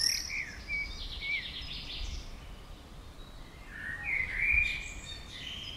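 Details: Common swifts flying around a house, a loud cluster of piercing, buzzy screams near the start and again toward the end, the birds sweeping past with a faint background hum.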